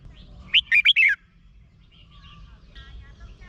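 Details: Red-whiskered bulbul from Thailand, song meant to excite caged birds: a single quick phrase of four clear, bouncy whistled notes, the last one sliding down, followed by faint chirps from other birds.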